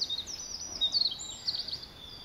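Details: Eurasian wren singing very high, thin, rapid twittering phrases with quick up-and-down slurs and tiny trills, loud and continuous for about two seconds, over faint background noise.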